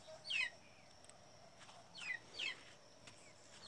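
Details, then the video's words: Giant cowbird singing at dawn: sharp, high, downward-slurred squeaky notes, one early, then a close pair about two seconds later, over a steady high-pitched hum. "o canto do gigante negro"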